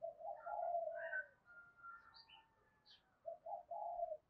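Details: Spotted dove giving a lure call in the two-ending "hai hậu" style: low, soft hooting coos in a run, a pause with faint higher whistles from other birds, then a second cluster of coos.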